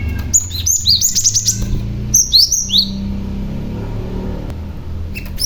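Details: Male cinereous tit calling to entice rival tits to respond. Rapid, high-pitched chirps slide downward, given first in a quick string and then in a shorter burst, over a low hum.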